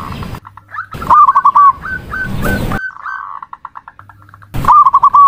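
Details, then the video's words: Zebra dove call interrupted by sharp crackling noise bursts: a quick stuttering run of hooked notes, several spaced rising coos, then fainter notes and another trill at the end. "Suara Panggilan Perkutut"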